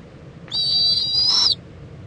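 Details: Screeching owl in Indiantown, Florida, at 11:45 AM on February 26, 2014, mother and owlet preening: one high, whistled, slightly rising screech lasting about a second, over faint low background noise.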